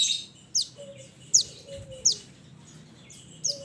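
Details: Sharp, high down-slurred chips in quick irregular succession from a mountain mantenan (Pied Bushchat) calling its companions, with a quiet lower whistle of another bird in between.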